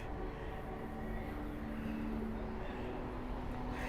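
Constant engine drone, like an aircraft or vehicle, with a steady hum and faint speech underneath, and no animal sounds.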